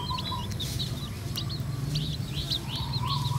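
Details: A hen red junglefowl brings her diluted-blood chicks out to find food. High, rising and falling peeps come in scattered clusters over a buzzing insect tone and constant low background noise.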